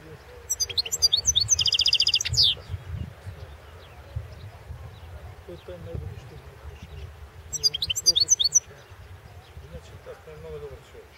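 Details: European goldfinch competing in the 2016 world championship of goldfinch song: two bursts of fast twittering with an even rapid trill and a sliding downward note, separated by quiet background with faint voices.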